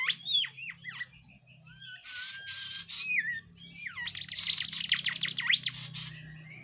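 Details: Lively tledekan jati flowerpecker song recorded as a tutor for songbirds; looping downslurred whistles and a long level note give way to a fast, high chattering trill, over a low steady hum.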